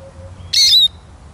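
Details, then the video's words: Eurasian siskin giving a single short, bright note lasting about a third of a second. It is high-pitched and slides downward into a thin whistled tail, against a quiet background. "Как поет чиж"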